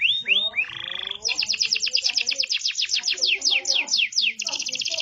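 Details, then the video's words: A yellow Belgian canary sings a bright, high, fast song: a few rising whistles, then rapid chattering trills and a buzzy roll. "yellow canary that makes noise"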